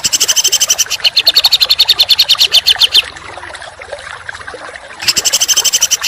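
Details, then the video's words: Songbird masteran for contest training with dense, harsh shooting bursts: a fast rattling high trill for three seconds, a two-second lull of faint hiss, then the rattle resumes. "Masteran Burung Kicau Tembakan Rapat dan Kasar"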